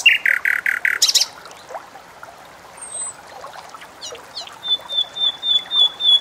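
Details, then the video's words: Bulbul singing, a bird prized for its melodious voice and used as a master song for tutoring cage birds: strong harmonic calls open, followed by soft scattered chirps and then a run of quick repeated high whistles. "Burung BulBul 🔴 Salah Satu Burung Paling Merdu di Dunia"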